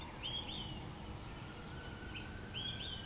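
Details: Olive-sided flycatcher (Contopus cooperi) on New Leaf Trail, Jackson County, Michigan, 30 May 2019, singing its whistled three-note song twice over a low, steady rumble: a short clipped note, then two higher slurred whistles.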